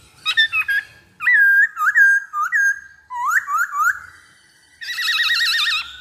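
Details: Black-throated laughingthrush lure song, delivering short groups of upslurred whistled notes repeated in phrases, ending with a long trilled, wavering warble.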